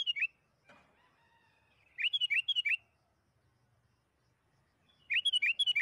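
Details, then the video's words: Lure song of a sooty-headed bulbul, played to prompt bulbuls to sing fast: three quick phrases of liquid, chirpy whistles that rise and dip, about six notes per phrase, with a soft rustle early on. "PANCINGAN BURUNG KUTILANG AGAR CEPAT BUNYI"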